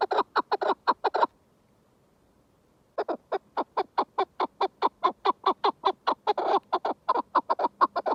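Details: Chukar partridge calling: rapid, repeated clucking chuk notes in a steady series, a short pause after the first burst, then a longer run of evenly spaced notes at about one and a half per second.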